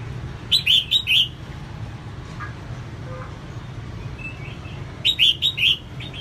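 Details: Female red-whiskered bulbul singing to excite males. Two quick bursts of four clear, rising-falling whistled notes, about four seconds apart, with quiet faint chirps and steady low rumble between.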